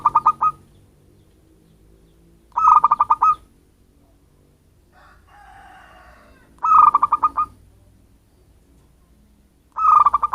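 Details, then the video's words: Local wild zebra dove, from natural habitat rather than bred, its call used as a lure for attracting birds: four staccato cooing phrases, each a short tone breaking into rapid pulses, repeated about every three to four seconds, with a faint unclear sound in between. "suara pancinggan perkutut lokal cocok untuk pemikat burung"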